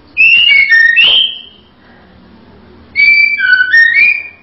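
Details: Female white-rumped shama (murai batu betina) whistling two clear phrases of bright, slurred notes stepping down then up, separated by a pause of about a second and a half.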